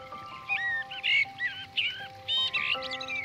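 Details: Common blackbird at a garden feeding site in Goch, Germany, singing short, mellow fluted phrases with twittery ends, repeated about every second, over a soft background of sustained musical tones.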